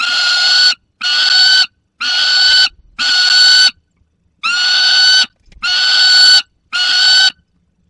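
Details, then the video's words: Peregrine falcons in the Barycz Valley, 30 August 2022, with a young bird holding prey: seven harsh, wailing screeches in a row, roughly one per second, each coarse and strongly overtoned. "Młody Zdenka z łupem i Borek 30 08 2022 Dolina Baryczy sokoły wędrowne"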